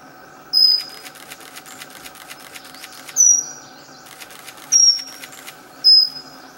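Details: Pygmy wren-babbler calling with sharp, high whistled notes that slide faintly downward, four notes spaced irregularly over six seconds, with a rapid mechanical ticking or fluttering pulse underneath and a low constant hum.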